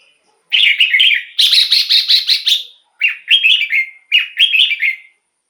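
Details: Red-whiskered bulbul song for luring wild birds or stirring caged birds: loud, rapid runs of chirpy, liquid whistled notes in three bursts, each of several quick syllables.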